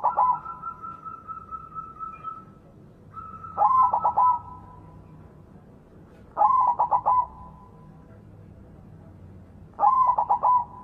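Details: Loud-voiced white zebra dove kept as a lure so that doves that have stopped singing start again; four coo phrases, each a rapid burst of stuttering notes trailing into a drawn-out level tone, spaced roughly three seconds apart.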